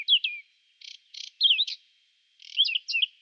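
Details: Whinchat in song during spring, April 2020, captured on a Nikon Coolpix P1000: quick twisting whistles alternate with two harsh buzzy notes, then a loud looping whistled phrase and a final scratchy flourish.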